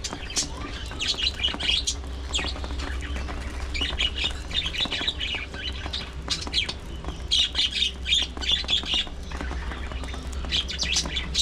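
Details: Parakeets at early morning feeding time keep up a long stretch of busy, scratchy chatter of clipped chirps and squawky warbles in irregular bursts, against a low steady hum.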